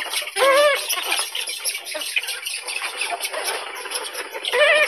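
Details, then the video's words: A Eurasian spoonbill (Platalea leucorodia) gives two short, nasal, slightly rising squeals, one at the start and one at the end, over a dense background of chattering and grunting birds in a colony. "Как поёт Колпица"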